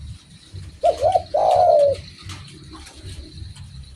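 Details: Derkuku or spotted dove in full voice: two quick mellow wavering notes, then one drawn-out low coo that sinks gently at its end; a continuous low hum and a thin high tone run underneath.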